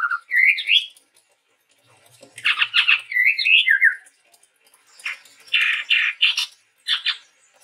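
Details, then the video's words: A male chestnut-rumped babbler, a Sumatran forest bird, in lively song: rising slurred whistles, dense buzzy bursts and looping phrases alternating quickly. "suara burung tepus tunggir merah gacor"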